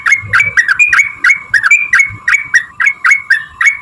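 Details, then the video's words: Sooty-headed bulbul in energetic long rapid 'ropel panjang' singing, used as a lure to make other bulbuls sing; short bright chirps repeated about every quarter second over a steady droning tone. "trucukan gacor TARUNG ROPEL PANJANG pancingan trucukan agar bunyi"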